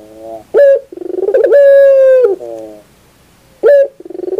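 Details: Barbary dove cooing in a training recording: a loud sustained coo on a steady pitch framed by rapid rolling trills of pulsing notes, then a short silence and another clipped coo with rolling pulses.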